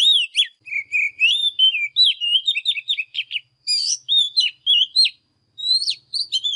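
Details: Oriental magpie-robin singing in the morning at its best, as tutor song for young birds: rich whistled phrases with swooping and trilled notes in steady bursts, one silent gap about five seconds in.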